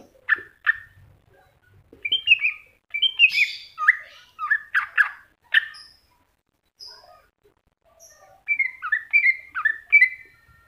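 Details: Greater green leafbird masteran song, a busy run of sharp chips and buzzy slurred whistles jumping between pitches, a short pause with thin high notes, then a closing cluster of bright looping whistles.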